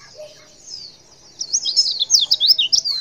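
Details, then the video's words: Female white-eye call used to make males answer: a faint high twitter at first, then from halfway a rapid run of sharp, bright, looping chirps, closely spaced and very high-pitched. "Suara CALL PLECI BETINA"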